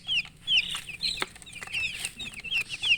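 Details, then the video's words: Baby chickens in a colourful poultry brood, calling from thirst for water: piercing, high peeps that drop in pitch, repeated rapidly by several chicks, with a sharp click and faint scuffling. "Murgi chicks Chirping sounds with thirst for drink water"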